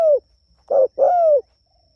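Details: Spotted dove calling its companions, an eager caller: the tail of a falling coo, then a short coo and a long mellow drawn-out coo, followed by quiet.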